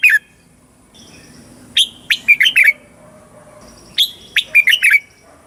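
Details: Red-whiskered bulbul song from Thailand in the southern master style, played to young and caged birds for teaching and excitement. One opening note leads into two fast, rollicking phrases of clear warbled whistles about two seconds apart.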